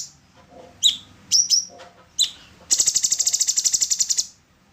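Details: Used to train songbirds, an orange-bellied leafbird gives a few piercing rising whistles before breaking into a rapid, regular rattle of roughly sixteen beats.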